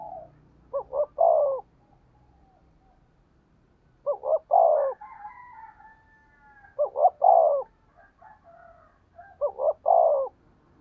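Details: Spotted dove decoy cooing, 'thổ' style at speed: four low phrases of two short notes and a falling coo, with a fainter higher-pitched bird calling behind the second phrase.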